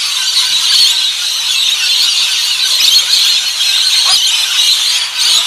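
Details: Rainbow lorikeets at a backyard bird feeder keep up a steady, shrill screeching chatter, high-pitched and harsh, with no pauses throughout.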